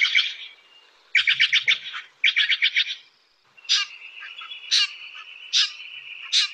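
Steller's Jay giving quick bursts of harsh, grating shack-shack-shack notes, followed by louder rasping notes spaced about a second apart.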